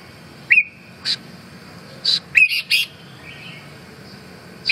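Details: Red-whiskered bulbul uttering sharp whistled notes, each bending upward, mixed with abrupt broadband clicking taps, phrases spaced roughly every second, plus a soft warble midway.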